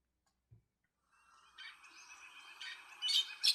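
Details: A Brown-backed Solitaire, a thrush of El Pilar reserve, Guatemala, gives a soft thump, then a thin, metallic, rising jumble of squeaky notes that swells into bright, ringing bursts near the end.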